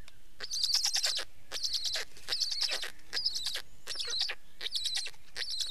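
Black stork giving harsh, hissing rasps, each a quick burst of stuttering pulses, repeated about once a second.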